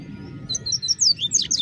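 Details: Double-collared seedeater singing in the bush: a brisk series of sharp, high slurred whistles, becoming louder and more burry toward the end, over low background noise.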